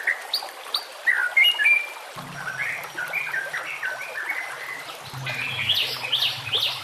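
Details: White-rumped shama song used as a training recording for other shamas, set among nature sounds: varied clear whistled phrases, some rising and some falling, over a trickle of running water, with a low hum entering midway.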